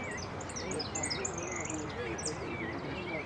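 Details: European goldfinch at a singing contest in Monte Grande on 03 11 13, placing third in the 'repique' style; high, bright twittering notes and quick slurred trills over a steady murmur of voices and crowd noise.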